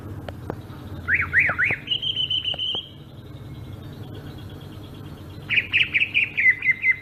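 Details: Sumatran greater green leafbird in ngerol style: a rolling series of swooping whistled notes slides into a sustained high trill, then after a pause a fast descending run of bright warbled notes; faint clicks beneath.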